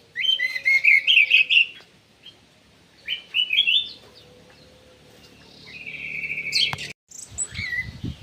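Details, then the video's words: Ground thrush in an aviary delivering loud, rich warbled phrases: a rapid jumbled run, a pause, a shorter burst, then a sustained high whistle ending abruptly, with a steady low hum underneath. "PUNGLOR JALI GACOR"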